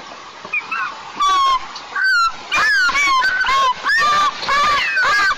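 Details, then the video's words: White-tailed eagle young at a nest on a 20-metre pine in the oil-producing southeast of Tatarstan, 23 July 2024, crying after being woken and bitten by its nestmate: loud, harsh, harmonic squealing notes, some downslurred, in rapid bursts over steady background hiss. "Елга разбудила Инеша, кусь и плак-плак на гусином"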